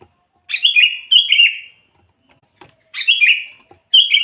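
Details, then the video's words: Sooty-headed bulbul in lively song, a lure for trapping wild bulbuls; four bright, bubbling whistled phrases delivered in quick pairs with a short pause between. "suara burung kutilang gacor full buat pancingan kutilang pikat"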